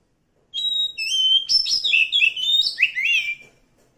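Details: Wild Oriental magpie-robin from the forest singing a lively, varied phrase of bright whistles, quick chirps and descending slurs, clear and close over near silence.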